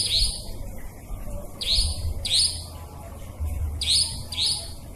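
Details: Nightjar lure recording for trapping, said to work day or night and to contain clear forest nightjar voices: bright, sharp upslurred chirps, some in close pairs, repeated irregularly about twice a second over a low rumbling background.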